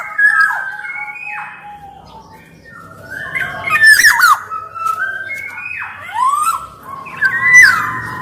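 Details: Black-naped oriole (kepodang) song used for luring and training other orioles: a series of spaced whistled slurs, some rising and some dropping, mixed with short rasping squawks.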